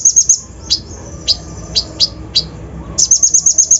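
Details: Lure song of a brown-throated sunbird (kolibri ninja) with full rough fill-ins, meant to excite other birds: quick high chirp runs at both ends with scattered single sharp chirps between.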